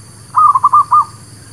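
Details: Zebra dove lure for trapping: a single quick burst of five soft, rolling cooing notes strung closely together.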